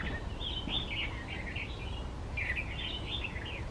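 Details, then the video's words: Red-vented bulbul sings amid wildflowers: two quick runs of lively, warbling chirps, the second starting after a short pause, against a constant low outdoor hum. "[Bird Calls] Flower Plucker Red Vented Bulbul"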